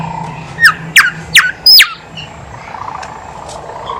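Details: Horsfield's babbler in full song, used as a lure to get reluctant birds singing: four loud, sharp whistled notes, each sweeping steeply downward, spaced about half a second apart over a faint background hum.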